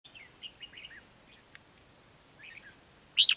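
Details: Red-whiskered bulbul heard during bird trapping at Mông Hóa, Hòa Bình, Vietnam, on 16 April 2016: faint, quick chirped notes early on, a soft phrase midway, then one loud sharp whistled note near the end over steady background hiss.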